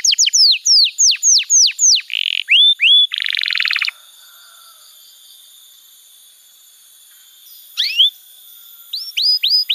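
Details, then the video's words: Canary song meant as training material for young canaries: quick descending whistles and a short buzzy roll, then a long near-silent pause before a few more whistled notes. "Masteran Kenari PAUD & Pancingan Kenari MACET BUNYI‼️"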